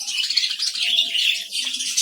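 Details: Colony of colourful budgerigars in a village during hot weather, when chicks were both hatching and dying: a dense, continuous, high buzzing chorus of many birds twittering and warbling together with no pauses.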